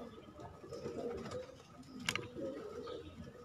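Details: Pigeons kept as a hobby give low, soft cooing notes, one burst near the start and another later, over a steady indoor hum with one brief sharp click in between.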